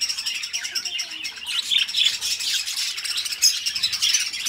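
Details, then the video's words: Pet budgerigars chirping rapidly, a dense run of high scratchy twitters and short whistled notes. "Parrots singing beautiful birds voice beautiful budgies birds sounds"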